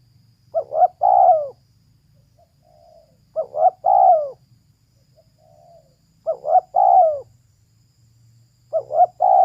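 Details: Female spotted dove calling steadily with four phrases roughly every three seconds. Each is two quick notes followed by a longer husky coo, and soft faint notes fall between the phrases, over a gentle low hum.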